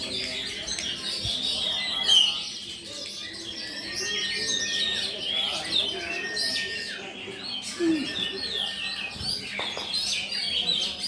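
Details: Oriental magpie-robin singing at a bird singing competition in Pulau Betung, Jambi, on 19 November 2023, where it placed runner-up; high, varied whistled and chattering phrases sound amid other songbirds and murmuring voices.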